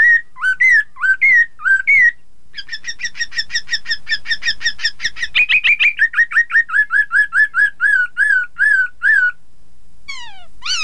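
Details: Chinese hwamei in full song, intended to get rival birds singing too: varied slurred whistles, then a long accelerating chain of rapid repeated notes and steady looping whistles, closing with a few sharp downslurred notes.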